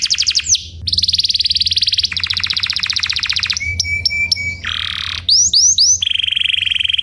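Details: Canary song used as a tutor recording to train other canaries, built from rapid buzzy trills, mid-pitched rattling rolls and repeated upward-sweeping whistles, each phrase lasting about a second before switching to the next.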